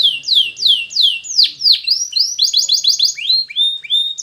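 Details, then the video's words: Canary song for training: a series of loud downward-swooping whistled notes repeated about three times a second, then a slurred rising note and a short bubbling run of rapid chirps ending in falling whistles. "The Best Canary Sound!!! Suitable for Canary Training"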